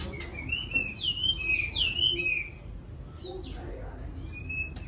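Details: Caged white-rumped shama (chòe lửa) kept in a home, singing softly: a run of clear whistled notes that slur up and down, several in quick succession, then a pause and one long level whistle, with faint clicks and low room hum.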